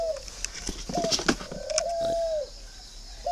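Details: Spotted dove cooing: a short note, then a long, level, mellow coo ending in a slight downward slur, with clicks and rustling noises around it.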